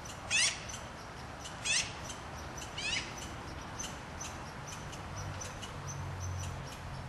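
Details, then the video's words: Black-billed magpie (Pica hudsonia) gives harsh, raspy chattering calls, three loud bursts roughly every one to one and a half seconds, then fainter notes, with low rumbling background noise. "Black-billed Magpies Calling Out (Pica hudsonia)"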